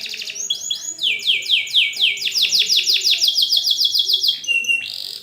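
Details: Canary training song for young birds: a rolling series of sweeping, high downslurred notes repeated about three times a second, ending in a brief buzzy phrase.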